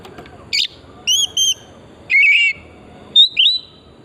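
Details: Kacer (oriental magpie-robin) singing on a lure track to encourage singing: a few clear whistled notes, a short rough burst, then two rising whistles over faint background hiss.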